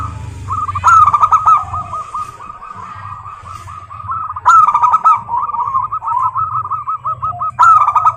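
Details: Extended song of local wild zebra doves: long runs of fast, rolling coos punctuated by three loud, harsh bursts, the phrases nearly continuous over a low background drone.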